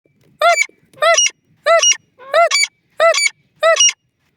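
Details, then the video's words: Partridge or francolin, described as a frightening call: six loud harmonic squealing notes, each with a quick rising-then-falling arch, evenly spaced about every 0.6 seconds, clean with no background sound. "teetar ki darnay waliy awaz,partridges bird khofnak sound"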